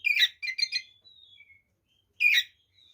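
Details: White-rumped shama singing to provoke rival shamas: a few short, harsh chattering bursts, then faint thin whistles, and one more loud scratchy burst after a pause.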